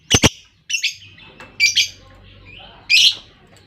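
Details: Lovebird lure sound, played to spur other lovebirds into a long ngekek; quick raspy chirps in close pairs and clusters over a faint low hum.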